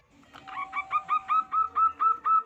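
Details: Loud-voiced local zebra dove singing its 'kung' song, used to lure other zebra doves into singing; a rapid series of about nine hooked, slightly rising notes, evenly spaced and getting steadily louder, with a faint steady hum beneath.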